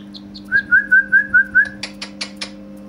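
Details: Indian ringneck parakeet, a talking parrot, gives six short, clear whistled notes in a quick even run, about five per second. Four sharp clicks or taps follow, over a steady low electrical hum.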